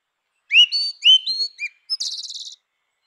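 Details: Grey-winged blackbird singing in its natural habitat: rich fluting whistled phrases sliding down, then a high, fast, buzzy trill at the end. Quiet background.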